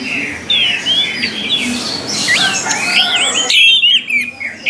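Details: Orange-headed thrush in full song, a rapid run of varied whistled phrases that twist up and down, rich and melodious, carrying on for several seconds before breaking off.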